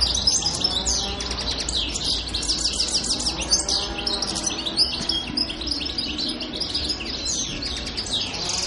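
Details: European goldfinch singing on Pantelleria island, Italy, in early January: a continuous, rapid twittering of high, tinkling, buzzy notes and trills, with steady low hum in the background.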